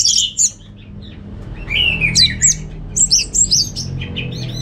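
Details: Orange-headed thrush, likely a lure or tutor recording made at home in the morning or afternoon, singing rich, varied phrases of high slurred whistles and quick chattering notes in short bursts over a low indoor hum.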